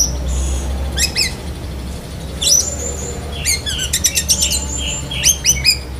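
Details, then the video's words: Black-breasted Oriental magpie-robin singing in besetan kapas style with linked lovebird imitations: sharp high chips, a drawn-out shrill whistle, then a quick run of chattering notes and squeaky rising slurs. "Kacer DAHIT besetan kapas tembak sambung lovebird"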